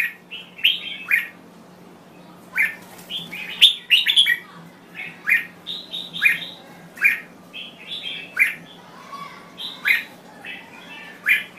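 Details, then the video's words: Red-whiskered Bulbul from Thailand giving repeated lively chirpy phrases of slurred whistled notes, roughly one phrase per second, clear and close, over a faint constant low hum. "Chào Mào Thái Lan Hót Cực Hay"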